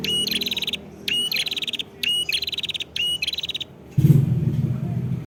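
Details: Prenjak kepala merah prinia in Kedungprahu village, Padas, Ngawi, East Java, giving four evenly spaced phrases of rising whistle plus buzzy trill, ending with a loud low thump and rumble.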